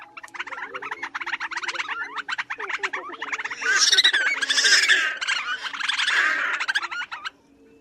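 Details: Black Crake, a small blackish water bird with reddish eyes, yellowish bill and pink-red legs, giving its odd wheezy bubbling and chattering call: a rapid series of harsh clicking notes that builds into loud, dense, wheezy chatter before stopping abruptly.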